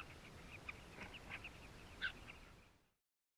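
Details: Nesting colony of southern carmine bee-eaters in South Luangwa, recorded with a concealed GoPro beside the birds. Faint, quick, overlapping burry chirps run continuously, with one sharper note near two seconds, before the sound fades to silence.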